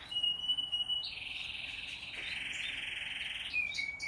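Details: A 19-day-old zebra finch x owl finch hybrid chick, being hand-fed, begs with a thin high whistle turning into a steady, hissing, buzzy wheeze lasting several seconds, ending on a brief squeak.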